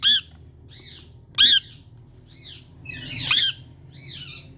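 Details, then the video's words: Rose-ringed parakeet from India calling: shrill, rasping screeches alternating with softer arched chatter notes, roughly one loud call every couple of seconds over a faint hum. "Beautiful Indian Ringneck Parrot Kaku Calling Sounds"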